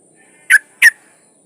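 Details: Yellow-vented bulbul, a female in breeding condition, calling a male with two sharp, slightly slurred notes about a third of a second apart, against a quiet background with a faint steady high tone.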